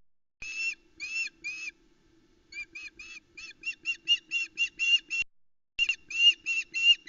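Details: Female osprey at the Loch Arkaig nest in July, calling nearby and shouting from the nest edge as the male delivers a trout, with chicks present; loud series of short, harsh, whistled yelps in rapid bursts, gaps between.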